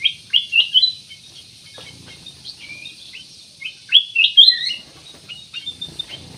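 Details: Singing ruby-throated bulbul meant as a lure for other birds: repeated short whistled notes, mostly upslurred, in quick groups, with a louder run of bright notes near the end.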